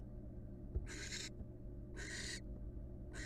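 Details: Wild female barn owl in a nest box, resting on one leg: harsh, broadband hissing screeches, each under half a second, with three bursts heard over a steady low hum.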